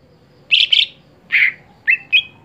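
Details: Greater green leafbird, a contest songbird that has stopped performing at competitions, gives a short series of clear chirps: two quick bright notes, one fuller note, then two brief whistles that rise and level off, over quiet background hum.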